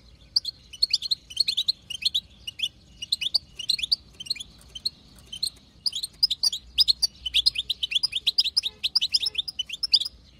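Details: Female wild European goldfinch in btbta chatter, played to make a male sing: long stretches of rapid, jingling high chirps in irregular bursts, growing denser in the second half.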